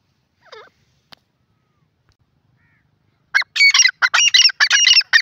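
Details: Grey francolin, known locally as jungli teetar, calling in a jungle: a few faint notes, then a loud, shrill, harsh series of rapidly repeated call notes running for about two seconds.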